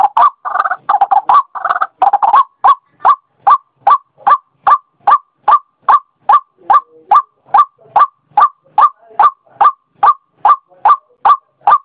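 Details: White-breasted waterhen calling as a lure: a dense, jumbled burst of harsh notes at first, then settling into a steady series of clipped croaking notes, about two to three per second.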